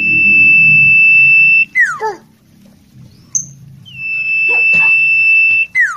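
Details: Ashy tailorbird song, used as a tutor recording for training magpie robins: a long, steady, pure whistled note, then quick downward-slurring notes. The pattern repeats with a second sustained whistle. A low hum runs underneath.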